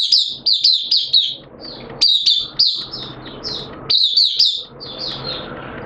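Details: Caged Oriental white-eye kept as a hobby songbird, singing openly on 11 September 2022 in wet, erratic weather; rapid high, thin twittering phrases in bursts of quick chirps, separated by short pauses, with faint low background hum.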